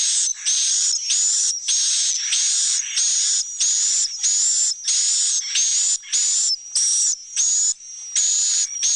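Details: Swiftlets' roosting call for the room where they sleep, build nests and breed, imitating a large nearby colony. Rapid, even series of rasping buzzy chirps with a thin whistle overtone, close to two per second.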